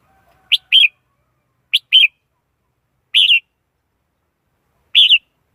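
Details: Red-whiskered bulbul singing: short bright warbled phrases, each a quick sharp note followed by a rolling double-peaked whistle, repeated about every one and a half seconds against a silent background.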